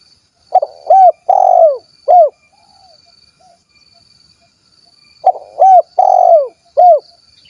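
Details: Tekukur or spotted dove, 'kuk 1' style, Cilacap, Central Java: two repeated low phrases, each quick soft notes, a drawn-out throaty coo and a final rounded hoot, separated by about four seconds of near quiet.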